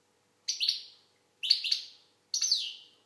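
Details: Three evenly spaced twittering bursts from an Algerian goldfinch, about one a second. Each is a quick double chirp of high, bright notes fading with an echo.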